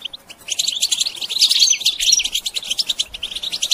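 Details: Goldfinch song for songbird training: two faint notes, then dense rapid twittering with bright whistled slurs, settling into evenly pulsed chirps toward the close.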